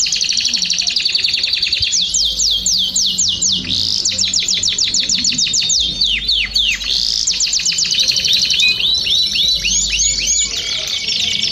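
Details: Belgian canary singing a long, fast series of high whistled and slurred notes, repeated downward-sweeping syllables in rapid trills with brief changes of phrase, steady and loud throughout.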